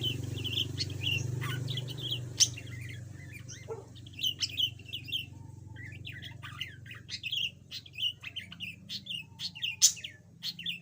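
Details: Pet yellow budgerigar, once silent and now chattering a bit, repeating short squeaky rising chirps and scratchy warbles in a busy stream, over a steady low rumbling hum.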